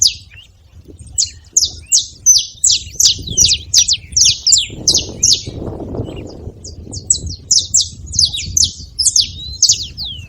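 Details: At a feeder, a saffron finch gives a steady series of crisp, high descending chirps, roughly three per second, with a muffled low noise swelling in the middle.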